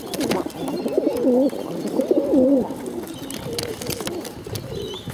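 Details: Hungry bottle-fed pigeons give two clear looping, wavering calls near the start, then softer trailing warbles, over a background of rustles and clicks.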